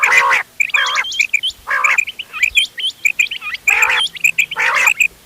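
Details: Quail (bater) mixed sounds for hunting, dated 31 October 2025. Harsh, grating bursts alternate with crisp paired notes repeating steadily, and high twisting chirps from other birds are scattered between them.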